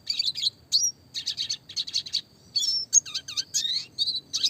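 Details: Clear classic red siskin song used to train small songbirds, steady groups of fast high chirps with buzzy rolls and a few downslurred whistles, repeated with brief pauses.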